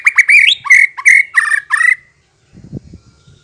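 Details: White-rumped shama singing as a lure so other shamas respond: five strong, rich whistled phrases, each sliding upward with a buzzy overtone, about two per second, followed by a short low rustle.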